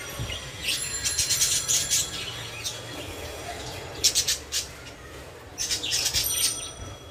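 Budgerigars give bursts of high, scratchy chirps and warbles in quick clusters over a low background hum.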